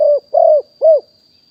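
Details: Spotted dove, a wild-caught bird recorded live in 2021 for use as a decoy to call in others, giving three clear, mellow coos in quick succession, the middle one the longest, with no other sounds.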